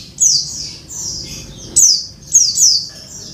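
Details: Oriental white-eye, a female calling the male, used to coax a caged male that has stopped singing: loud high thin descending whistled notes in quick bursts, with sharp down-slurred phrases repeated.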